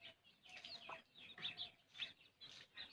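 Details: While a hen feeds her chick, thin high cheeps come in small clusters about every half second, with one brief low cluck and soft background rustle.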